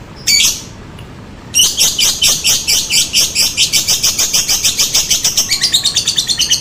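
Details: Lovebird lure sound used to make lovebirds reply: one sharp squawk, a pause, then a long series of fast, harsh, high chattering notes at a steady pace.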